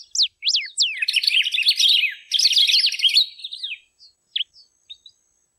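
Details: Three sharp descending whistled notes open, followed by a golden-billed saltator's hurried chattering warble in two bursts. Isolated soft chips trail off afterward.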